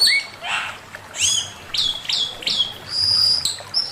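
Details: Master song of a male Chinese hwamei: a low sweeping whistle, then a burst of high downslurred notes and a long, steady, piercing whistle, with short gaps between phrases.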